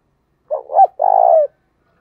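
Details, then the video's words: Single spotted dove cooing phrase played as a lure to get newly caught caged doves to coo: a short broken hoot rising into a clipped note, then a steady, slightly vibrating long coo. "Tiếng cu gáy mồi chuẩn"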